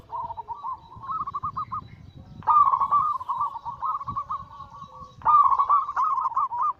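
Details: Perkutut zebra dove anggungan, three rolling phrases about two to three seconds apart, each a fast stuttering run of mellow coo notes, the later two louder; faint low rumble underneath.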